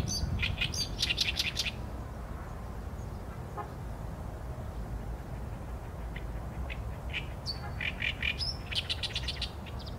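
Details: Song of an Oriental reed warbler, recorded on a Sony A7M3: a short run of rasping, broadband notes at the start, a quiet gap, then another grating phrase near the end, with constant low background hum.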